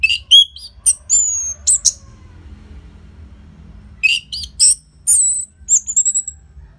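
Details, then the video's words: Orange-headed thrush, a caged bird, singing loudly with tight gaps as a prompt to get other birds to sing: sharp high whistled notes and slurred phrases in two bursts separated by a quiet pause. "Pancingan & Masteran ANIS MERAH Gacor Jeda Rapet Suara Keras || Burung Macet Pasti Ikutan Bunyi."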